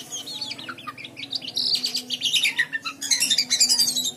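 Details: White-shouldered triller singing for use in training other birds: chirpy descending notes followed by a loud buzzy, rattling trill of rapid high pulses that swells toward the end, over a faint low hum.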